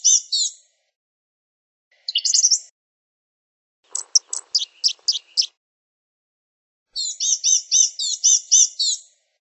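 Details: Blue-gray gnatcatcher singing high, thin, squeaky phrases, with a burst of sharp clicking, ticking notes in the middle and a long chattering run of rapid wheezy notes at the end.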